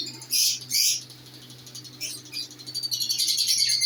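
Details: Newly paired lovebirds: two sharp bursts of shrill chatter, a quieter gap, then rapid high twittering resuming and building over a faint low hum.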